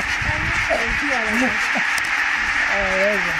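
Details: A huge flock of some 17000 Barnacle Geese flushed by a peregrine at Konnunsuo near Joutseno, Finland, 2012. Several wavering, yapping honks overlap against a constant dense background rush.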